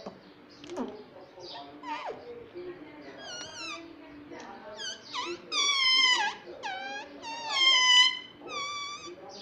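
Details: Talking pet Indian ringneck parrot, said to say mummy and papa, starting with soft clicks and short notes, building to loud, wavering harmonic phrases repeated with brief gaps near the end.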